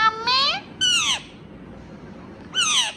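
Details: Indian ringneck parrot, a talking bird, giving three loud harmonic calls over about three seconds: a rising-then-falling note, a steep downward sweep, then a similar arched note after a pause, with quiet indoor background.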